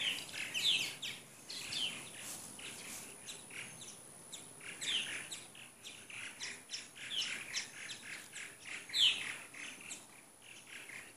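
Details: Purple martins, around 75 counted one 2014 morning in Katy, Texas, ahead of their return to Brazil; scattered high chirps and short chattering phrases, with a few louder sharp notes standing out.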